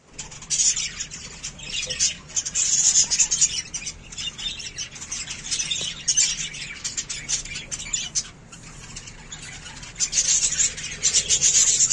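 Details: Budgerigars (Melopsittacus undulatus) chattering in a dense, scratchy stream of high chirps and squawks.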